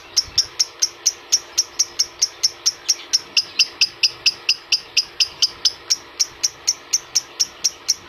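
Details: Lovebird chirps to stimulate adult lovebirds: thin, high notes repeated about twice a second over a constant mechanical hum.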